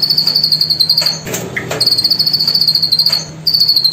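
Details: Cililin singing, recorded for use as a master song for training trotol and pastol birds and meant to be played in the morning and midday. The song is a long, fast, high buzzing trill that breaks briefly, then resumes steadily.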